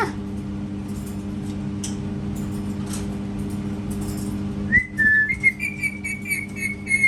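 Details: Pet parrot in a room, quiet at first with faint clicks, then breaking into clear whistled notes that rise and step up, repeated in short bursts over the last two seconds above a steady low hum.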